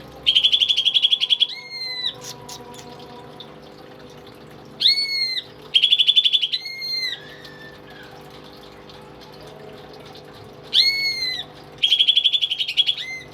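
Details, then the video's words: Greater green leafbird kept as a pet and singing steadily as a master for young birds: repeated phrases of fast buzzy chatter joined to pure, slightly falling whistles, separated by quiet gaps of several seconds, with one soft low slurred whistle. "BURUNG CUCAK IJO gacor dan jinak cocok buat masteran burung isian"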